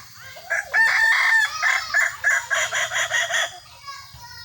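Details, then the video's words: Kukuak Balenggek rooster crowing during a contest: a loud, extended crow broken into about a dozen pulsing, stepped syllables over three seconds, ending in softer trailing notes. "Ayam kukuak balenggek"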